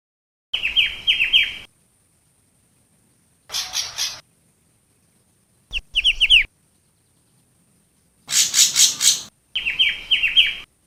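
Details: Long-tailed shrike used as a lure bird in Java, Indonesia, singing bursts of rapid harsh rasping notes that alternate with quick series of sharp falling chirps. Each phrase lasts about a second, separated by short silences.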